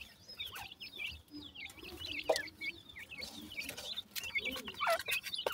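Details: Chirping partridge chicks out in the forest. A busy chorus of thin, high, down-slurred peeps from several birds, with sharp clicks and rustles between them and a few lower soft notes.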